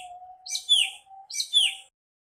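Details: Singing nightingale: two rich bursts of song about a second apart, each a cluster of high whistled and buzzy notes with a bright descending slur, over a steady low hum throughout.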